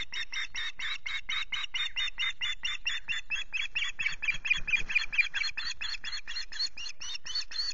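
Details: Male osprey at Loch Garten, Scotland, on a misty morning after fishing. It gives a steady, rapid series of short, sharp, whistled chirps, about two each second, that carries on without a break.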